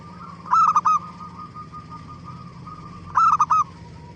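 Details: Zebra dove song used as a lure for other doves to answer; two bright phrases of three staccato coos about two and a half seconds apart, a soft sustained tone between them, and a low hum.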